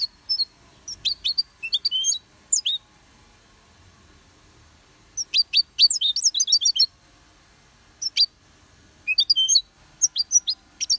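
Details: Goldfinch song in bursts: rapid tinkling, high-pitched twitters and sharp chirps delivered in phrases of one to two seconds separated by pauses, with no other sounds.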